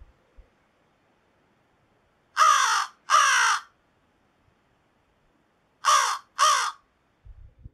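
American Crow giving harsh, hoarse caws in two pairs, each caw about half a second long, with a long pause between the pairs.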